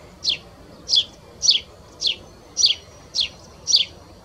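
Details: Sparrow at S'Albufera, Mallorca, assumed to be a Spanish sparrow because it sounded like a Tree Sparrow, gives a steady run of bright, slightly falling chirps, about two each second, over faint low hiss.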